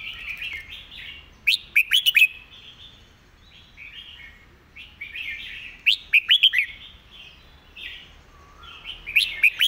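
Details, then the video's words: Red-whiskered bulbul, a quick, repetitive master-type song: three bursts of loud, sharp chirps, each preceded and followed by mellow, gurgling warbled phrases, the pattern recurring about every four seconds. "เพลงดี"ปากไว เดินเพลงย้ำๆ เพลงแม่บท"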